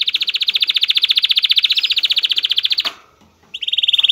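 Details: Excited male canary singing to stimulate a female to mate: a fast, even, rolling trill held for almost three seconds, a short pause, then another high trill begins.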